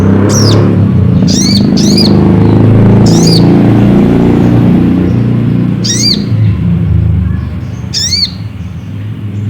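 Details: Ruby-cheeked sunbird calling, used to provoke a rival into singing: crisp high chevron-shaped notes, singly or doubled, at irregular intervals, against a loud low rumble.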